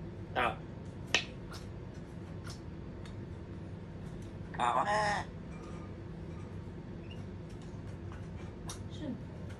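African grey parrot giving a harsh, raspy squawk lasting about half a second, with a few sharp clicks before it, indoors over a low background hum.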